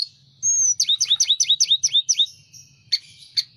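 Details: Sunda robin in full song with wings spread: one long pure high whistle, then about eight rapid, evenly spaced down-swept notes in a tight trill, followed by two short harsh chips.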